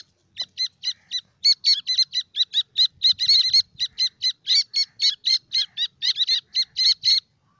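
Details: Young grey francolins (Iranian teetar chicks) peeping almost nonstop: sharp, high, clipped notes repeated about four times a second, sometimes overlapping as several chicks call together, with a quiet background.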